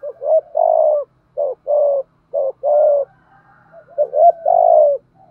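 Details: Spotted dove decoy cooing repeatedly: three rapid phrases, each a pair of short rising notes and a long throaty coo. A low faint hum sits underneath.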